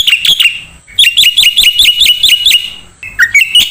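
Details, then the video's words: Black-winged starling singing as a songbird training recording: a few piercing chirps, a pause, then a steady run of shrill two-part notes and a closing burst of squeaky whistles. "MASTERAN KICAU Jalak Putih"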